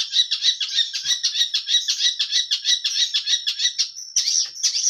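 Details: Long-tailed shrike in vigorous song with a full repertoire, giving a fast series of harsh, scratchy squawking notes, around six per second, ending in a brief steady whistle and more rasping notes.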